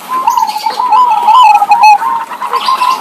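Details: Zebra dove of local stock, singing eagerly in exchange with a second zebra dove, used to stimulate other doves. A fast, vibrating, beaded coo runs almost unbroken, dipping slightly in pitch midway, over light background chirps.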